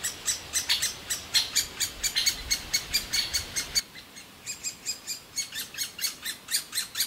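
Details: Great spotted woodpecker young begging nonstop from their nest cavity in an old aspen as both parents bring food. Sharp, high chirps come in quick, uneven bursts, then settle into evenly spaced single notes.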